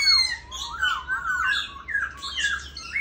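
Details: Pink-legged black laughingthrush, a tame caged bird, gives a tumbling sequence of warbled, slurred whistles rising and falling, harsh squawky overtones mixed in, over a low steady hum.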